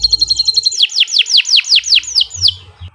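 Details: Canary song for use as a training master: a quick series of short even notes, then about nine arching downward-sweeping whistles at a steady pace, finishing more softly.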